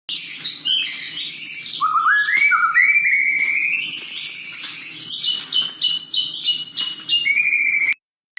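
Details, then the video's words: Male white-rumped shama in aggressive, excited song used as a lure: dense run of clear whistles and rapid chattering notes, a stepped rising series of whistled notes in the middle, bright high phrases throughout, ending abruptly. "pancingan murai gacor"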